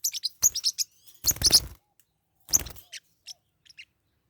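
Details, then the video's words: Forpus parrotlets, pet birds fighting: sharp high chirps in quick bursts, mixed with broadband scuffling and flapping noise in two loud bouts, then scattered short tweets. "My birds are fighting"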